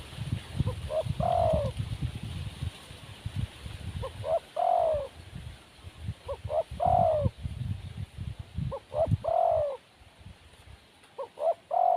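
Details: Wild spotted dove, said to lack nerve, coos five times over twelve seconds. Each phrase has two or three short soft introductory notes before a sustained, downslurred coo, separated by pauses with low rustling noise.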